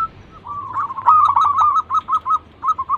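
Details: Local zebra dove, a lively lure singer: a soft rising coo swelling into a dense warbled phrase, then about six separate short notes spaced evenly, a low hum underneath.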